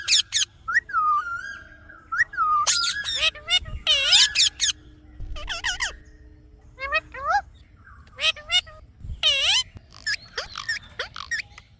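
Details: An Indian ringneck parakeet chatters in speech-like phrases, mixing falling whistled glides with loud harsh syllables in irregular bursts, separated by short silences.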